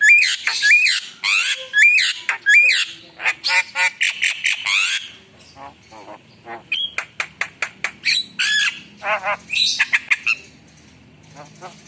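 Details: A gacor Javan myna delivering a song full of fillers (isian): loud looping whistles and harsh rasping notes at first, then a rapid series of short dry clicks and chips, a few shrill squeaks, fading at the end.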